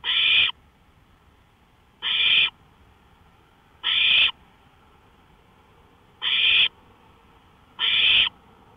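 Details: Owl calling from a porch at night, 1:53 AM on May 5, 2013: five short breathy, harsh screeches at irregular gaps of one and a half to over two seconds, with faint steady hum.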